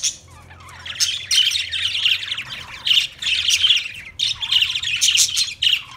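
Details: Loud Budgerigar warbling from an Australian parrot: harsh squeaky chatter in phrases of about a second, separated by short gaps.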